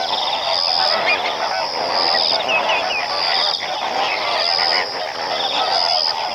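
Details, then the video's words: Mixed greater and lesser flamingo flock in full voice, a steady wall of honks and harsh babbling notes, with a shrill, even high tone returning roughly every second and a half. "Lesser and Greater flamingo | Sound effects"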